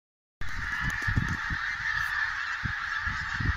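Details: Geese taking sudden flight in northern Scotland: a dense, continuous honking chorus from many birds blends into one steady din, with low thumps and rumbling underneath, after a brief silent start.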